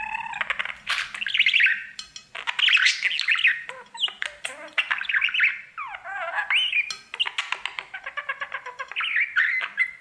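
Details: Pet male budgerigar singing to its mirror all day: dense, nonstop chattering warble of buzzy squawks, clicks and sliding whistled notes with a swooping downward-then-up phrase midway.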